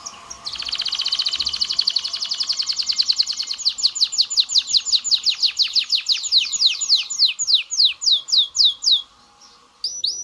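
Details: Singing canary, used to stimulate males and females to mate: a fast buzzy trill opens, then a long series of high, downward-sweeping whistled notes repeated about three times a second, slowing gradually before stopping.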